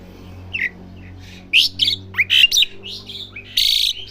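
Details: Young Asian pied starling practising song gives scattered squeaky whistles, then a burst of rising slurred notes and scratchy squawks, over a low steady hum.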